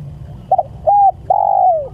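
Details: Spotted dove calling its companions: a short broken double coo, a level hooting coo, then a long drawn coo sliding downward at the end, over a steady low background hum.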